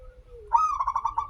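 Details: Zebra dove, local bird, singing as a lure for other doves: a low falling tone leads into one sharp high note and a fast run of about six pulsed coos.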